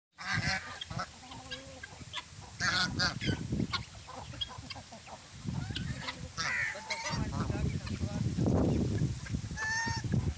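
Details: Geese with their chicks: a busy mix of short nasal honks and harmonic calls. Some rise and fall and some are drawn out, with loud, irregular bursts over low rumbling handling noise throughout.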